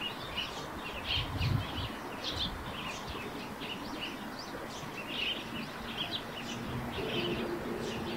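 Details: Eurasian tree sparrow song near a rooftop nest, a continuous stream of short bright chirps in quick uneven succession, several birds at once, over a constant hiss.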